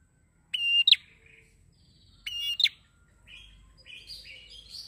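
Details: Prinia in full voice, for luring birds in training: two whistled phrases, each a level tone ending in a fast falling double note, followed by softer scratchy chirps and a low background rumble.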